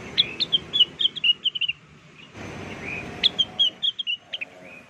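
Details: Blue-winged leafbird, or rengganis, used as a bird lure: two lively phrases of clear, high chirped whistles, varied and slightly slurred, separated by a short pause with low background noise.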